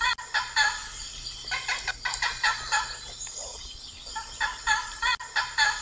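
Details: Several blue macaws producing loud, rasping, nasal squawks in irregular clusters, some overlapping, with brief gaps between bursts and steady low hiss underneath.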